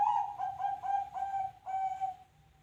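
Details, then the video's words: Zebra dove cooing in a rapid rolling series of short, mellow notes that hold a steady mid pitch, ending in a longer drawn-out coo that fades away, a low background hum throughout. "suara burung perkutut"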